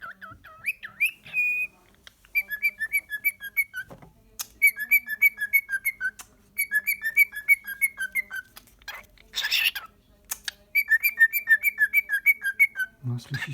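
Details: A male pet cockatiel sings runs of quick, chirpy whistled notes mixed with clicks copied from a crimp tool, and he imitates the clicking before it happens; Cockatiel.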